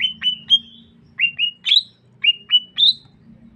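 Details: Greater green leafbird of the Sukamade type from Banyuwangi, East Java (Meru Betiri), singing clear whistled notes in short paired phrases. Some notes are level and some slide upward. Phrases repeat about every half second to second, with a faint low hum underneath.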